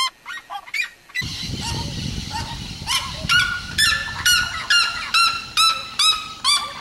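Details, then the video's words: Red-legged seriema song: a few separate yelps, then a rushing noisy background under a steady run of shrill, upswept yelping notes about two per second. "O canto da Seriema do Mato Grosso"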